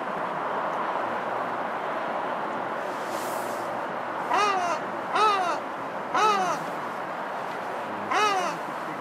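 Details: Ruddy shelduck at Winsford Flash gives four loud, nasal, goose-like honks, each slightly arched in pitch, spaced about a second apart, over a steady rush of wind.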